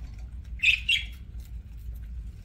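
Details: Budgie kept as a pet, chirping during a meal: one brief scratchy double chirp, otherwise quiet low indoor hum.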